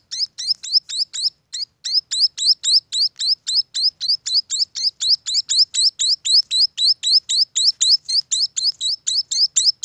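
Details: Young munias give a rapid run of sharp, high chirps, every note sweeping upward, repeated almost four times a second with barely a break.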